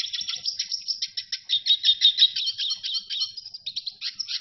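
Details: Red siskin singing a continuous, fast twittering song of high, thin chirps and buzzy warbled notes that run on without pause for over four seconds.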